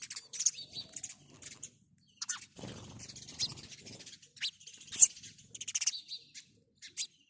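House sparrow giving bright, high chirps in irregular bursts, with a brief low rustle or thump midway.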